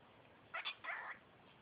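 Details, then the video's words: Five-month-old female cockatiel talking at home; a brief squeaky phrase of two quick syllables and a longer raspy one, in otherwise quiet indoor surroundings. "Cockatiel talking"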